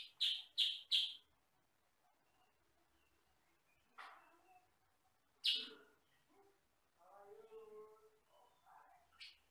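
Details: Recording of a sooty-headed bulbul, called kutilang sutra, a yellow-and-black bird said to sing loudly with one or two tones, made for training other birds: three rapid sharp chirps, later single chirps and softer low chattering sounds.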